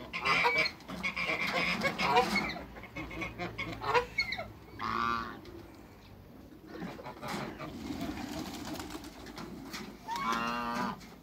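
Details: Backyard Toulouse geese, two males with one female, call in bursts of coarse, braying honks, several overlapping at first, then a pause, then a final strong honk.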